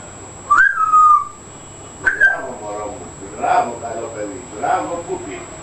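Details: Pet African grey parrot, 14 months old, indoors, opens with a sharp rising-then-level whistle and a brief second whistle, followed by two voiced, word-like utterances in a talking voice.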